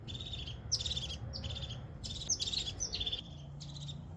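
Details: A wild crested tit in the upper Cembra valley, Trentino, gives high, thin buzzy trills in quick bursts, about six in four seconds, over a low steady rumble.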